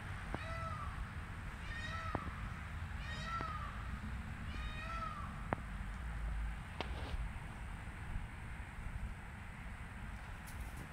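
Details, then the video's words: Peacock heard at a distance giving four wailing, nasal cries with a rising then level tone. The cries repeat about every second and a half, followed by quiet broken by clicks and a steady background hum. "Peacock 🦚 sound"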